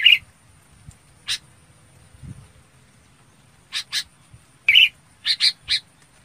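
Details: Red-whiskered bulbul calling to its flock, giving scattered harsh short notes and a couple of brief whistled chirps, separated by gaps of near silence.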